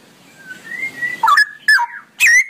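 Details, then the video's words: Straw-headed bulbul in a ropelan song: a soft, level whistled note, then three loud, ringing, down-slurred gurgles spaced about half a second apart. "suara burung cucak rowo ropelan panjang"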